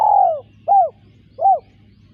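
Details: Spotted dove giving the tail of its coo phrase: a long, drawn-out falling note followed by two short, rounded, arched coos spaced about three quarters of a second apart, over a faint low hum.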